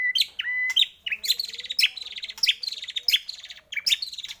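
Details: Lively White-rumped shama song for urging shamas to sing, with a flat whistle, then repeated loud phrases of sharp high notes and buzzy trailing trills, roughly every half second.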